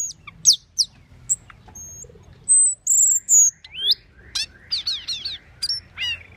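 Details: Asian glossy starling with sharp chips, then long thin high whistles held steady, then a rising whistle and a rapid series of bright downslurred chirps, closing with scattered squeaks.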